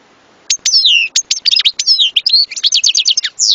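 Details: Goldfinch singing a dense, fast stream of sliding whistled notes, twitters and short rattling trills for about three seconds.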